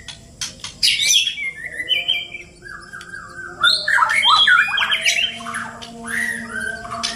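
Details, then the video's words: White-rumped shama, Borneo form from Indonesia, two birds fighting: a burst of sharp high chips, then a series of rapid stuttering notes in a level row, followed by a loud busy jumble of varied squawks, whistles and chatter. "Two King Bird Fighting || Murai Batu Birds Chirping Fighting"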